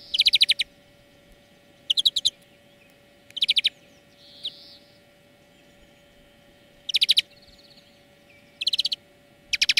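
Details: European greenfinch song played as a lesson for training birds: short bright twittering trill bursts, each about half a second, spaced a second or more apart with quiet gaps, over a faint steady low hum.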